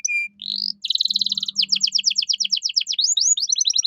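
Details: Canary master song for training caged birds, cengkok mewah style: a pure whistle and rising slur, a long buzzy roll, then fast repeated falling notes, over a faint low hum.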